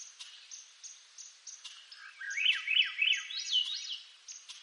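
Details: Swainson's thrush from eastern North America singing one phrase of flute-like notes that spiral upward in quick looping rises and falls, climbing from low to high. A steady series of short, high chirps repeats about three times a second behind it.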